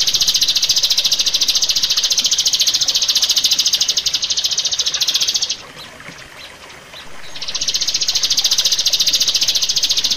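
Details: Rio-rio bird singing, recorded as a master track for training caged birds: a long, steady, high-pitched buzzy trill of fast even pulses. It stops for about two seconds, then starts again.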